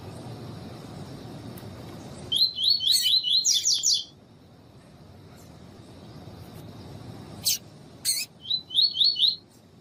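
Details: Female double-collared seedeater (coleiro tui tui) call used to train and excite males: two quick bursts of about seven high, thin chirped notes, separated by a few seconds of quiet, with a few sharp clicks and faint steady hiss.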